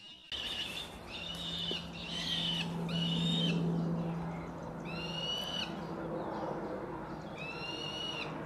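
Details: Black sparrowhawk adults teaching 76-day-old juveniles to hunt: loud, harsh, nasal call bursts come in two series, the first of four quick notes and the second of three after a pause. A steady low hum runs beneath.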